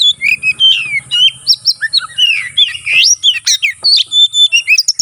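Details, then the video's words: Fighting oriental magpie-robin singing to provoke a rival bird: dense, loud whistled phrases with swooping slurs, buzzy chatters and sharp upward notes, packed tightly together, with faint low rumbling underneath. "burung kacer NGEPLONG tarung KONSLET ful isian ini AMPUH buat PANCINGN lawan ikut konslet"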